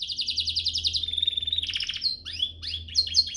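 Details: Canary song used as a training master for young singers: rapid high buzzy trill rolling for a second, a steadier rattling tour, then varied sharp downslurred whistles and chirps.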